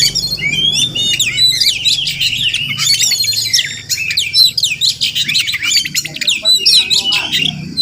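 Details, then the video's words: Wild village Oriental magpie-robin, a regular morning visitor near the home, pouring out rapid high whistled phrases, twitters and scratchy notes, then brief pauses between louder bursts. "Crazy Sounds of Village Magpie Birds"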